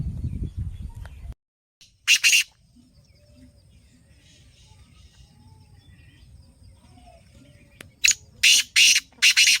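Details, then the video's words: Fast-calling black francolin, Lakka Nasal strain: one rasping burst early, then a run of three loud, harsh, scratchy notes near the end, over quiet low hum. "Kala Teetar Ki Awaz"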